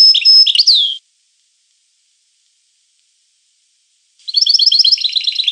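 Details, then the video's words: European goldfinch song: a short, high twittering phrase with a thin whistled note and downslurred notes. After about three seconds of complete silence, a denser tinkling run of rapid chirps follows. "The Goldfinch , chant de Chardonneret"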